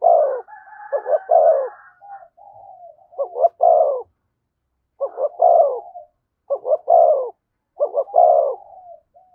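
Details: Near a decoy bird, a spotted dove sings its 'thúc gù' coo: five clustered phrases, each of quick stuttered notes rolling into a deeper, rounded coo, separated by short silences, with a faint higher hum at the start.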